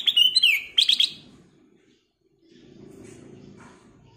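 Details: Black-crested bulbul singing actively with a clear, crystal voice: bright whistled notes in quick, slurred bursts, two short phrases in the first second, followed by a low rumbling background noise.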